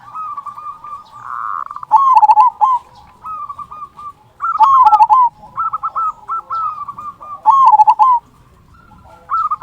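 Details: Local zebra dove singing a big "kung" to stimulate other zebra doves to sing: repeated soft, warbling coo phrases, punctuated by three louder rolling bursts.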